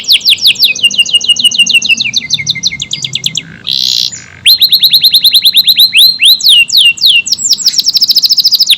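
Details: AF canary in extended, tight-burst song: fast rolling trills of sweeping notes, a short harsh buzz, then rapid repeated sweeps at around three to four per second.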